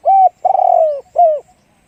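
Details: Spotted dove, big-voiced 'one-kook' style: one steady coo, then a long throbbing coo sinking gradually in pitch, and a final short downward coo. Close and clear, with no other sounds.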